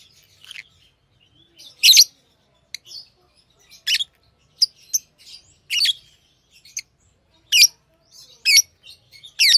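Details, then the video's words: Tame lovebirds chirping about once a second, shrill harsh notes of varying loudness mixed with softer squeaks and twitters, in a quiet room. "Love birds Sounds | lovebirds chirping sounds"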